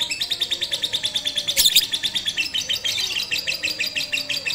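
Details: Lovebird of the Batman type being trained with a master recording on a rooftop, first session 18 April 2021 during Ramadan; rapid, even series of high chattering chirps, about five per second, running unbroken through the whole stretch with one louder harsh burst midway.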